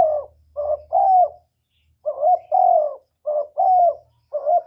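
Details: Spotted dove cooing, a recording played to lure doves when trapping and to stimulate decoy birds; close and free of background noise. Mellow, hooting coos come in short bursts: a brief note, then a longer drawn-out coo, repeated after short pauses.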